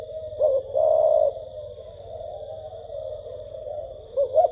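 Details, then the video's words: Spotted dove giving a gù tít coo: a short rising double note followed by one drawn-out low coo, another phrase starting at the end, over a steady background hum. "CHIM CU KHÁCH GÙ TÍT"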